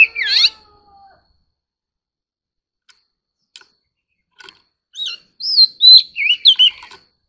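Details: Oriental magpie-robin singing competitively: an opening buzzy sweep, scattered faint clicks through a quiet stretch, then a closing run of loud whistled upslurs and downslurs.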